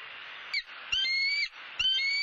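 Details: At a Southwest Florida nest under a live camera, a bald eagle gives two or three thin, high whistled notes, each about half a second long, set against a steady hiss of background noise.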